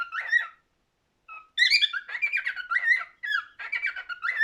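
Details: A cockatiel sings in quick warbling whistles, a brief phrase, a pause, a soft lead-in note, then a bright rising chirp and a busy string of fluttering, up-and-down whistled notes.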